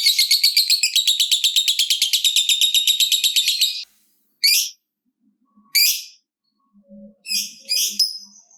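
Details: Lovebird ngekek, a long chatter meant to make other lovebirds sing: almost four seconds of quick, shrill, buzzy pulses, then a pause and several isolated sharp, high chirps with faint low sounds between.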